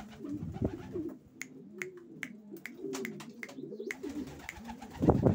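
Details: Racing pigeons coo in deep, wavering phrases, a few birds overlapping, with crisp clicks in between and a brief louder rustle near the end.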